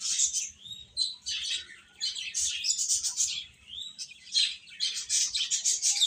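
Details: Chicks peeping in waves of piercing high notes, some with short rising and falling slides, pausing briefly between bursts.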